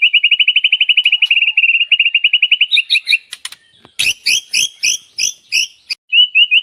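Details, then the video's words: White-rumped shama in lively master song for training songbirds: a long fast run of identical clipped notes, then paired higher chirps, a few clicks, and a series of doubled scratchy chirps repeated about three times a second. "MURAI BATU SUARA BEGITU MERDU INDAH MASTERAN GACOR"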